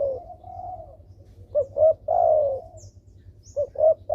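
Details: Spotted dove calling hard as a lure for doves reluctant to call: one complete phrase of two short coos and a long sliding coo, a second phrase starting at the end, faint coos and low hum behind.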